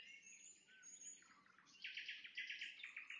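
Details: At sunset a nightingale sings, starting with a soft whistle and descending slurred notes, then breaking into a fast, evenly pulsed trill of loud repeated notes.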